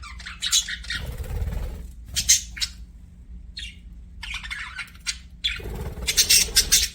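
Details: Budgies chirping in separated bursts of scratchy, high chattering squeaks with quiet gaps between them, the final burst the loudest, and a low rumble in the background.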